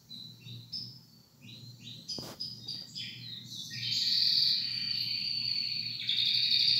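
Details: A canary sings: scattered short chirps and slurred notes with a sharp click midway, building into a loud, continuous high trill that swells strongly near the end.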